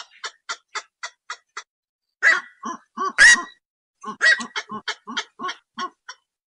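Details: Night heron giving harsh honking calls: quick runs of short clipped notes, then louder strained squawks with falling tails, repeated roughly once a second.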